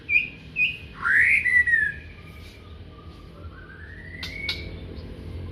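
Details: Morning singing of a magpie-robin: short high whistles, then a loud rising-and-falling slurred phrase and a long, thin, slowly rising whistle. Two sharp clicks near the end, with steady low background noise.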